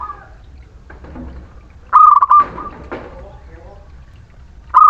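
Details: Local Muria zebra dove song used to stimulate reluctant doves. A single loud staccato coo phrase with a held ending is followed by scattered softer calls and rustling. Another phrase begins at the end.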